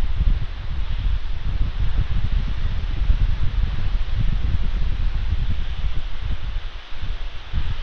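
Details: Wind buffets the microphone with rustling throughout, and no animal calls can be picked out.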